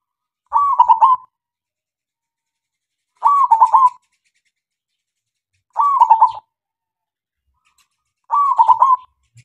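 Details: Local zebra dove used as a lure to make other doves sing: four crisp, rippling coo phrases, each under a second long, repeating steadily about every two and a half seconds.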